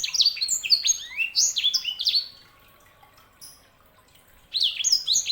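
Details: Canary hybrid known as sanger sings fast descending whistled chirps, goes quiet for about two seconds, then resumes the bright twittering phrase.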